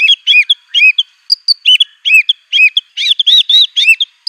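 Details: Energetic white-rumped shama song built from canary, cililin, cungkok and ciblek imitations; repeated chirpy arched notes in doubled and tripled groups, bright and quick, with an occasional thin high whistle.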